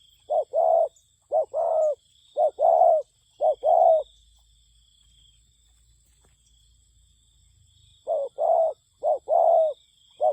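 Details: Spotted dove lure bird for trapping, voice in the 'còi pha' style, giving low, hollow hooting coos in quick bursts of two to three notes, a silent pause mid-way, then the bursts resume, with a faint steady high hiss behind.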